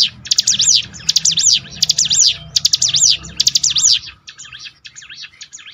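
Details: Bar-winged prinia song used to revive a down bird's spirit: loud, rapid high zigzag sweeps in phrases repeating roughly every second, fading to softer, more distant-sounding phrases near the end, with low rumbling underneath.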